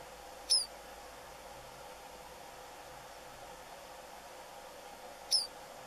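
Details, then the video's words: A single White-browed meadowlark vocalizing at Puente Romero, Gorchs, Buenos Aires Province, Argentina, 4 February 2017: two sharp, high, hooked call notes about five seconds apart, over a faint steady background hum. "Pecho colorado (Sturnella superciliaris): VOZ"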